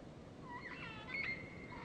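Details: Meyer's parrot at a morning mud-lick gathering at Kaingu, shortly after sunrise, where up to 200 gather to eat mud, giving a few thin, wavering whistled notes, some rising, some falling, over a soft hiss.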